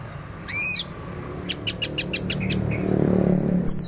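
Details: Orange-headed thrush in teler song, played as a morning lure to get other thrushes singing. It opens with one swooping, layered note, then a brisk series of about six short, sharp clicks, a brief whistle and a high thin slur at the end.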